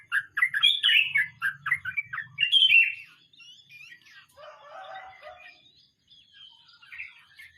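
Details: Sooty-headed bulbul giving a 'ngeroll mbonang' song: about three seconds of loud, quick, bubbly fluty notes, then quieter scattered chirps and lower warbling notes fading out.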